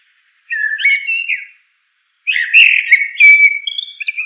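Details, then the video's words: Common blackbird song: a short mellow warble, a pause, then a longer rich fluting phrase with sliding whistles and high twittering notes at the end; otherwise silent background. "Natural Birds Voice, Bird Natural Sound.Common Blackbird."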